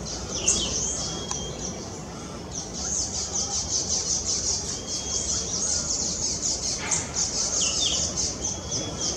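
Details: Common waxbills in the Brazilian Amazon give a dense, rapid chatter of very high, thin ticking notes with a few short whistled slurs, over a steady low rumble.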